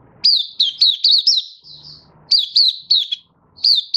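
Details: Malaysian white-eye kept as a hobby bird in Singapore, singing on a warm sunny day, 20 March 2023: loud, high, sharp chirped notes in quick bursts separated by short pauses, with a soft low hum briefly audible.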